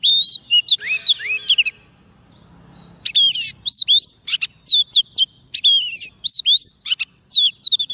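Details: Oriental magpie-robin on soft food, singing to call wild birds: bursts of loud, clear whistled notes with sharp rising and falling sweeps, a short pause near two seconds, then dense, rapid varied phrases to the end.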